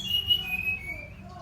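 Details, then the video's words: Brown-chested jungle flycatcher giving a short, sustained whistle that glides slowly lower and fades out. "Sikatan rimba dada coklat SRDC gacor"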